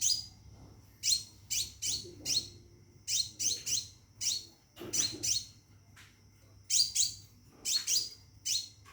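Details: Caged scarlet minivet calling a female to mate, repeating high, sharp falling chirps in loose groups of two or three with short silent gaps, against a faint low hum.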